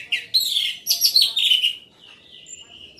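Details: Orange-headed thrush singing loudly, a rapid jumble of high whistled and chattering notes with sweeping phrases, fading into softer trailing whistles after about two seconds.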